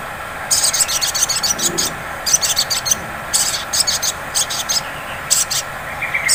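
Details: Ngleper-style sunbird (sogon) lure: dense runs of piercing, rapidly repeated high notes in choppy groups, ending with a rising thin whistle, over low steady noise.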